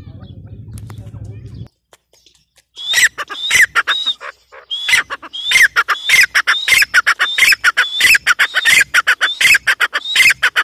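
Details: Female grey francolin (teetar) calling: after a low rumbling start and a short pause, a loud, rapid series of harsh, ringing notes repeats almost twice a second, each with a sharp upward-bending stroke, continuing to the end.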